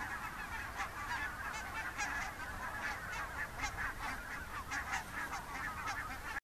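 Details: Thousands of wild Barnacle, Greylag and White-fronted geese flying in October 2015 at morning from the IJsselmeer shallows where they slept to nearby fields to feed, near Gaast, Netherlands; dense, continuous chorus of overlapping honks over a broad, rumbling background.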